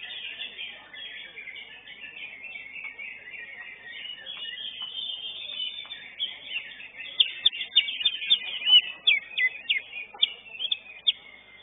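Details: Third-placed greater green leafbird, known locally as cucak ijo, performing in a singing competition: busy warbled chatter that turns after about seven seconds into quick bursts of sharp, clipped chipping notes, repeated rapidly.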